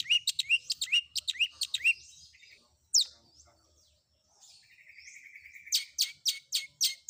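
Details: Long-tailed shrike combination filler song, used as training audio to make other shrikes answer: rapid sharp rising chirps, a loud upslurred whistle, then a sustained buzzy trill and a closing series of harsh high notes.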